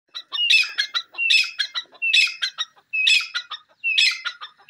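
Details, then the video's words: Desi teetar, grey francolin: loud ringing phrases, each a rising whistle followed by a rapid cluster of harsh clucking notes, repeated about every nine-tenths of a second in a clean, quiet recording. "teeter ki masti wali awaaz,desi teeter voice"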